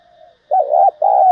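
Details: Spotted dove cooing, a voice used to excite decoy birds and train lure birds for trapping; a faint low note, then two loud, low, hollow coos in quick succession, the second longer and steady.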